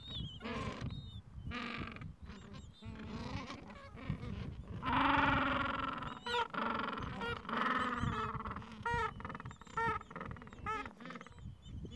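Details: Gentoo penguins nesting in a Falkland Islands colony, with chicks two to three weeks old, mild afternoon; a long, loud braying display call in the middle, surrounded by rapid pulsed brays and the murmur of many other birds.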